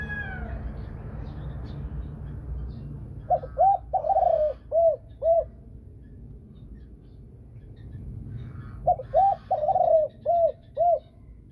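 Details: Spotted dove singing in the Vietnamese 'thổ sấm' (thunder-voice) style, clear and pleasant. Two phrases of about five low, rounded, rising-falling coos each, several seconds apart, over a soft background hum.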